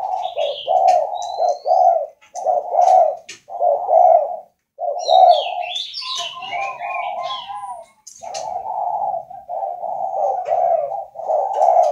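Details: Caged spotted dove from northern Vietnam, a 'khách' voice type kept at a breeding facility, giving low hollow coo phrases in steady runs about every second, briefly broken by a descending warble, with thin chirps and trills from other birds above.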